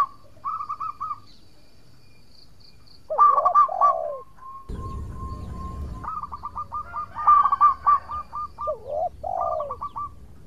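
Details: Local zebra dove singing actively as a lure for rivals: a few clipped notes, then phrases of rapid staccato notes ending in low dipping coos, with a low rumbling noise partway through.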